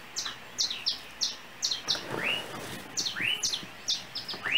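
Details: Small unidentified yellow bird on Trinidad overhead lines: a string of quick high ticks followed by rising chirps toward the end.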